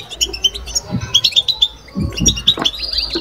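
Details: Caged European goldfinch singing babtaba: scattered high tinkling chirps and brief trills, with a few low thumps or knocks in between and a thin rising note at the end.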